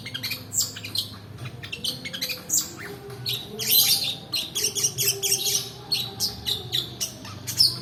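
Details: Long-tailed shrike song used as a lure to prompt reluctant birds to sing and as training material for other birds: dense, busy run of sharp high chirps and clipped notes, rapidly changing, with a faint low hum beneath.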